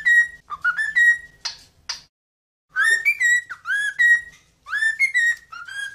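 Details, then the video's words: Singing cockatiel kept as a pet, giving melodic whistled phrases of rising and falling notes with rich overtones, broken by two raspy bursts and a short pause before a longer, varied whistled run. "Cantos De "Calopsita" MAIS BONITOS e MELHORES - Cockatiel Singing"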